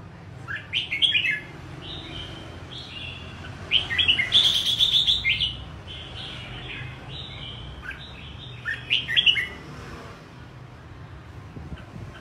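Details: Highly combative caged red-whiskered bulbul hopping about the perch floor and fanning its wings while singing. It gives bright, warbled whistled phrases in bursts, with a dense chattering run in the middle and quieter gaps between.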